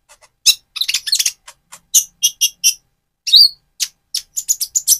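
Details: Speckled Van Hasselt's sunbird, still moulting into metallic feathers, gives lively high twittering song used to provoke a rival: rapid sharp chirps and a few rising whistled notes in a dense run.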